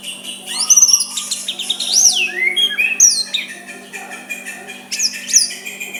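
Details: White-rumped shama singing gently to bait a rival into responding. High sweeping whistles arch up and down in clear separate phrases, with quieter twittering between them and a faint steady hum.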